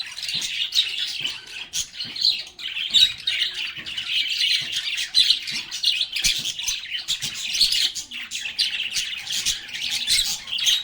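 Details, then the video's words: Several lovebirds chattering nonstop, their high scratchy chirps and squawks overlapping throughout with barely a pause, the flock noise staying busy and even from start to finish. "Lovebirds agapornis sounds | Relaxing Sounds of Singing, Playing, and Talking Parakeets"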